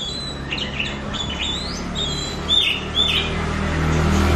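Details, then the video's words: ['Oriental magpie-robin (kacer) lure song for pet birds to learn from: bright slurred whistles, some rising and some falling, in short bursts, with two louder sweeping notes near the end over a steady low hum.'] "PANCINGAN KACER BAHAN BARU BELAJAR BUNYI"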